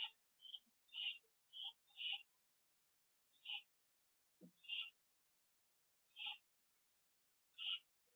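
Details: Pair of owls returning to the nest at 7:08 PM on 27 September 2011, on a live camera; a run of brief, hoarse, high-pitched calls, several in quick pairs, with gaps of up to a second and a half.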